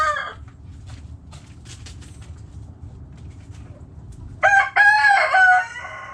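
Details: Clucking hens in a backyard, a faint murmur of soft calls, then a rooster's crow rises loudly in two connected parts, the second dipping and falling away.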